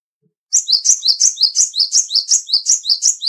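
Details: A small, agile, loud-voiced cinereous tit, black, white and grey, delivers a long, even string of high, see-sawing two-note phrases, around fifteen in under three seconds, on a quiet background.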